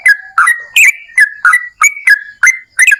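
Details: Yellow-vented bulbul singing in lively 'gacor' fashion for luring others to sing: liquid, slurred whistled notes repeated about three times per second, some rising, some falling.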